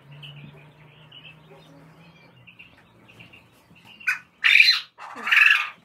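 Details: Male quail crowing on a farm in winter, in the morning, among laying hens back in lay after months of moulting: a short harsh note, then two loud, raspy, buzzy bursts in quick succession after a few quiet seconds of low murmur.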